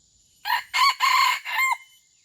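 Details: Red junglefowl from Aceh kept as a pemikat, a lure bird for attracting wild junglefowl, gives one loud crow of four clipped bursts, the third longest and the last falling away, over quiet surroundings.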